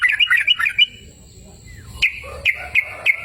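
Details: Sooty-headed bulbul in open, natural surroundings giving a quick run of liquid chirping notes, then a pause before a few separate bright, dropping notes.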